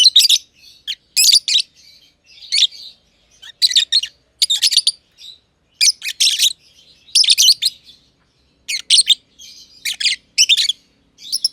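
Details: Aviary lovebirds, a green personata under a year old and an older green pied personata, chirping for a long stretch: sharp, harsh high chirps in clustered bursts roughly every second, softer twitters between.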